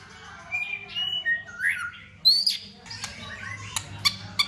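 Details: White-rumped shama singing in competition style, with tail-flicking display and many varied voices: a jumble of whistled slurs and sweeping notes between 1 and 5k, then sharp clicking ticks near the end, over a low hum.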